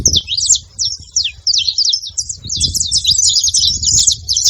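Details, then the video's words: Several saffron finches calling together: dense, high chirps and short sweeping notes, rapid and irregular, overlapping in a busy chatter with faint low rumble beneath. "canário da terra junto fazendo barulho"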